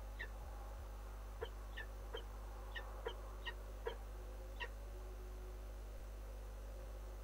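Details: Peregrine falcons at De Mortel on 16 May 2017, around 11:04 in the morning, during a feeding of the chicks: faint, short, sharp calls repeated about eight times at irregular intervals over a steady low hum.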